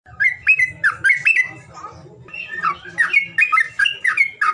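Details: Bird calls used as a lure for birds that are reluctant to sing: harsh squawky chirps with quick rising-falling notes, in two bursts separated by a brief lull, over a steady low hum.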